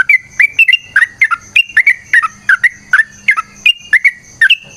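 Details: Sooty-headed bulbul singing energetically in long rapid phrases of a fighting style: a steady run of short, bright, warbled whistles in close pairs and triplets, with a faint low hum beneath.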